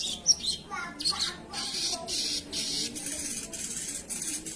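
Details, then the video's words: Sogon singing actively (gacor): a series of rough, hissing bursts, each lasting a fraction of a second, follows a few scratchy notes at the start. "suara burung sogon"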